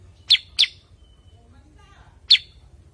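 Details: Cucak kurincang, a bulbul also known locally as kutilingang sutra or kuniran in Ngawi, giving three sharp, high descending chirps, two close together then one after a pause, over faint low background hum.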